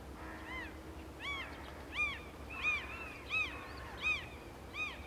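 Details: Two fluffy Red Kite chicks in a nest high in an old tree's crown in Central Europe, in summer, as an adult arrives with food. They give thin, arched whistled calls, rising then falling, about every two-thirds of a second, over a faint hiss.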